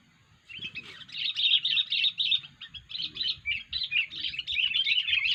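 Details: Sooty-headed bulbul with a strange 'poin' voice, used for luring birds: an unbroken stream of fast, scratchy, twittering chatter with slight pulses, steady and loud after a brief quiet start.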